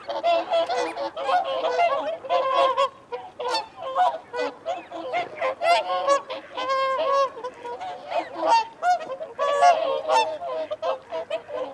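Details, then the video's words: A group of whooper swans with wigeon and mute swans, making feeding and territorial calls as clipped, honking trumpet notes in rapid uneven bursts, many birds overlapping, mixed with thin higher squeals. "Whooper Swan. Feeding Calls & Territorial Calls"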